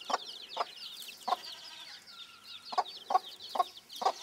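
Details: Broody bantam hen with her chicks: short low clucks spaced irregularly, about seven in four seconds, beneath a continuous chorus of high, thin peeping from the chicks.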